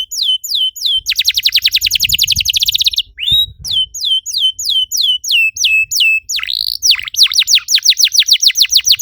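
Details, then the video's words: Domestic canary singing as a lure to get other canaries singing, with rolling phrases: repeated clipped whistles, a dense rapid trill, a brief rising note, then bouncy downslurred notes ending in a quick even trill. "PANCINGAN EFEKTIF BURUNG KENARI, CORR DORRR!!"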